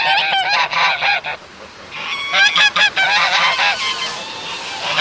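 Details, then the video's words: Geese playing in water call in harsh nasal honks, a rapid cluster, a short lull, then another burst of sharp repeated honks, several birds calling together. "The sound of geese"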